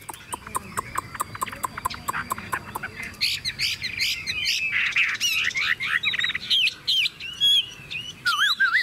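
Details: Tame Chinese hwamei in a cage carried by hand and shaken: three seconds of sharp clicking and faint notes, then a dense burst of buzzy, looping whistles and slurred phrases.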